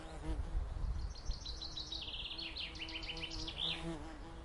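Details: Common chaffinch song with other birds: a run of repeated sharp notes dropping step by step in pitch, ending in a quick flourish, over a low steady hum and rumbling noise.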